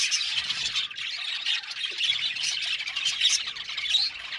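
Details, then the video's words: Budgerigars in a colony aviary chirping continuously, a thick overlapping chatter of squawks, warbles and short whistled notes with no pauses. "Budgie amazing chirping sound | Budgies calling sound"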